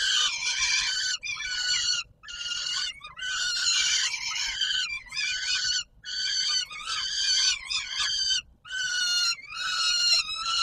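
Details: Peregrine falcon calling at feeding time, Palace of Culture and Science, Warsaw, Poland, 17 July 2022: a steady run of raspy, screeching notes, roughly one a second, harsh and rich in overtones.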